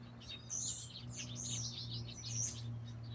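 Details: Songbirds give sharp high whistled chirps and trilling fragments about once a second, against a faint steady mechanical hum.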